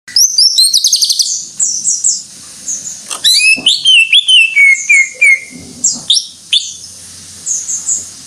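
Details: Greater green leafbird, a kept songbird in full lively song: rapid high chirps and trills, then a string of sweeping whistled notes sliding downward, with short bursts repeated between pauses.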